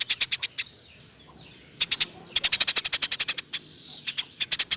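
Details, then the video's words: Eurasian tree sparrow giving constant fast chirping in 'roll tembak' style to train songbirds: an opening burst of six chirps, a pause, then clusters building into a long even run of high, sharp notes. "Burung gereja gacor. Roll tembak pas untuk masteran"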